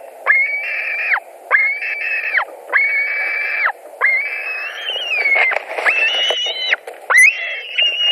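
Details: A fish delivery at a white-tailed eagle nest in Latvia, 17 July 2020, late evening, with two birds competing. A series of wailing calls grows more excited, later ones rising and wavering in pitch, with rustling between.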